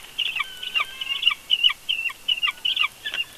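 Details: Family conflict at the Big Bear bald eagle nest, picked up by a live camera: quick high chirping notes in short clusters, about two to three per second, each followed by a brief lower drop.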